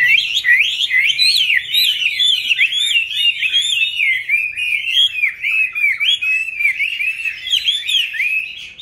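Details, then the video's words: Caged Chinese hwamei, caught wild as an adult and kept into its fifth year, pouring out a loud, continuous, rich warbling song of rapid slurred whistles, rising and falling notes blending without pause. "Có những chú họa mi trong clip Q nuôi từ bổi sang năm thứ 5"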